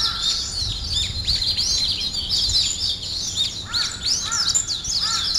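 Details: Early-morning bird chorus of busy high twittering and sweeping chirps, a lower double whistle sounding a few times, steady soft background noise.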